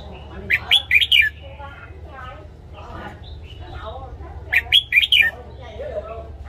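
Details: Red-whiskered bulbul in a cage singing its morning song for training: two lively phrases of four or five chirpy whistled notes, with soft murmuring and faint lower sounds between them.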